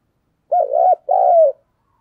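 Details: Decoy spotted dove cooing meant to draw out and stimulate wild doves, 2022: two mellow, low, wavering coos in quick succession, each about half a second long, in silence.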